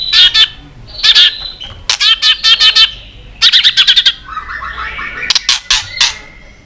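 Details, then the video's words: White-rumped shama kept caged, singing in competition fighting mode: bursts of rapid sharp chattering clicks and buzzy notes in clusters, followed by softer warbled notes and more clicks. "kích lửa 3 mùa yếu lửa hót đấu lên lửa.chòe lửa nết đập xoay chớm lửa hót đấu"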